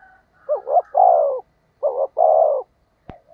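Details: Lure call of a spotted dove for enticing wild doves. Two phrases come in quick succession, each a wavering double note leading into a sustained, slightly descending low coo. A sharp click sounds near the end.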